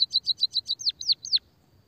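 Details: Lure recording of sparrow calls meant to stimulate other sparrows: six fast high chirps in a quick series, then three louder notes sweeping steeply downward, ending abruptly.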